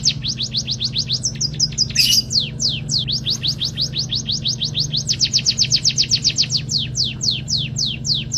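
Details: Munia (pipit kaji) performing learned canary song: rapid series of sharp, descending whistles in shifting bursts, one brief harsh buzzy note near two seconds, then a quick accelerating trill, all over a constant low background hum.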